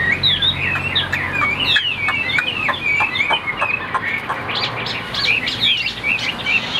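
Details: Caged Chinese hwamei, a white-winged, white-tailed bird kept for song, delivering a loud high-pitched song of rapid whistled slurred phrases, rising and falling, run together with brief pauses over steady low background hum.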